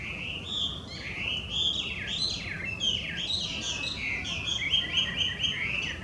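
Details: Loud song of a wild Chinese hwamei, an introduced invasive species in Japan: a fast, fluid stream of warbled and whistled phrases with swooping slurs, over a steady low rumble of background noise.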